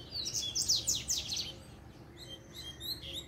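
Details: Song of a double-collared seedeater calling rivals to fight: a rapid, dense run of sharp, high, sliding whistles and trills for about a second and a half, then sparse thin notes trailing off over a faint low rumble.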